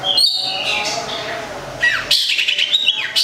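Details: Long-tailed shrike of the local Gedong Songo strain, Central Java, singing: high drawn-out whistles, a descending slurred note, then a burst of scratchy, chattering phrases with quick upward sweeps.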